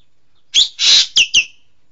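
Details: Green magpie, locally named engkek keling, gives four harsh, rasping notes in quick succession within about a second. The second note is longer and broader than the others.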